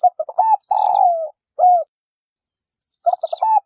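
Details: Cooing of a female spotted dove meant to stimulate males: stuttering short notes, a long buzzy falling coo and a clipped end note, then a fresh phrase begins about three seconds in.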